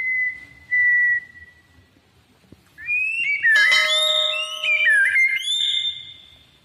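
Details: Tame white-rumped shama singing while held in the hand: two pure, steady whistles, then a rich burst of slurred, rising and falling notes with ringing overtones, in quiet surroundings.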